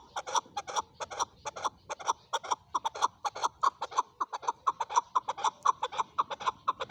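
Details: Calling male chukar: quick, rhythmic clucks repeated several times a second, each note a short hollow chuk, the series pressing on steadily with small swells in volume.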